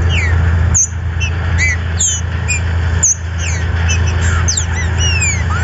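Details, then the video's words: Captive green-winged saltator (trinca-ferro) from a Brazilian registered breeder delivering quick falling whistled notes, then longer rising and sweeping whistles toward the end, set against a persistent low hum. "SERÁ QUE O SEU TRINCA FERRO TAMBEM CANTA COM ESSE VIDEO"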